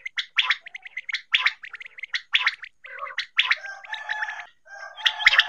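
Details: Quail (batair) call played for hunting; rapid gargling, chattering notes in close runs, then buzzier, harsher rattling phrases toward the end.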